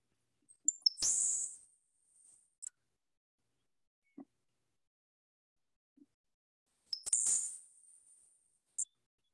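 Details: Grasshopper Sparrow from Iowa, an insect-like song usually heard over large fields: two songs about six seconds apart, each with a few very high ticks and then a thin, high, hissing buzz lasting about half a second, plus sharp clicks between them.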